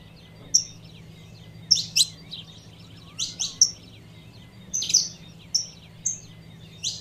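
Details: Female saffron finch calling to stimulate the male: scattered sharp chirps in small clusters with short flat whistles between, steady low hum underneath.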